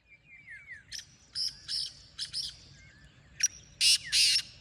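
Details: Grating, rasping notes from a black francolin: a softer uneven series, then a louder closing burst of three harsh notes, over a light background of faint whistles from other birds.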